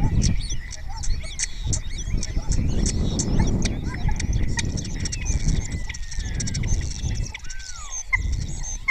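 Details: Spotless starling in Cabañeros National Park, Spain, singing with answers from other starlings and borrowed calls of other birds. Rapid clicking and crackling notes interspersed with long gliding whistles, over a noisy low background.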